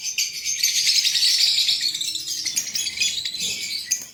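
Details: Breeding sounds from a green pair of Fischer's lovebirds in Pakistan: dense, continuous high chattering and scratchy chirps run together with no clear pauses.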